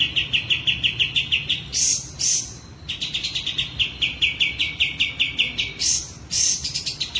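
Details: Sooty-headed bulbul, in breeding condition and spreading its tail, delivers a fast run of sharp repeated notes, about six a second, broken twice by harsh rasping bursts before the rapid series resumes.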